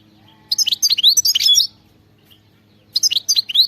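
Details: Two separate bursts of quick, high, tinkling twitters and slurred notes from a European goldfinch, with a quiet gap between them, in the wild khalawi singing style.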